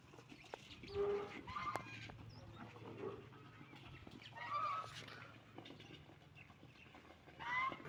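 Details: While ducks eat food and drink water, short nasal honks come in loose bursts about every two to three seconds, with softer grunting calls and low background hum between them.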